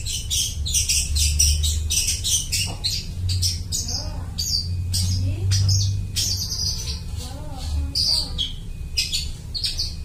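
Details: Long-tailed shrike mimicking other species, played to lure birds: dense harsh chattering early on, then lower, softer warbled phrases mixed with scratchy notes, over a persistent low hum.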